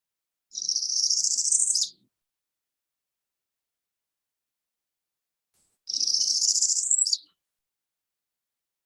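Northern Parula gives two high, buzzy songs about five seconds apart, each rising over a second and ending with a sharp downward zip; faint low room hum beneath.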